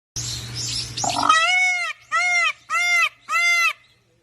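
A peacock gives four loud, nasal wails, each about half a second long, rising then falling, repeated in quick succession after a brief burst of rustling noise.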